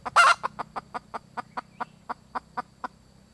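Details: Red junglefowl hen calling for a mate: one loud harsh squawk, then a steady series of about twelve short, evenly spaced clucks that gradually soften.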